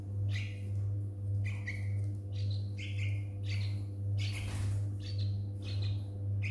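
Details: Two baby Yellow-vented Bulbuls found on the ground in a front yard one morning after a night thunderstorm, taken in from the hot sun; short chirping calls with falling notes, repeated roughly twice a second, over a steady low electrical hum.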